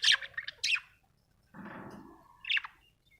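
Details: Happy budgerigar chirping in short sharp high bursts at the start and near the end, separated by a soft, noisy mid-pitched rasp.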